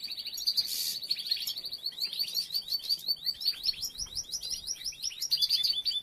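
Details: Several goldfinches while females gather material and build nests: a continuous lively twittering of quick high chirps and slurred notes, overlapping and busy throughout, with a brief harsh burst near the start.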